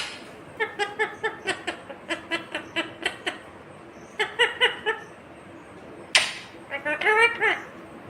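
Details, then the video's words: Ringneck parakeet gives a fast string of even, chattering syllables, like laughter, then a sharp burst and a wavering spoken phrase. "Natural Sound of Talking Ringneck green parrot"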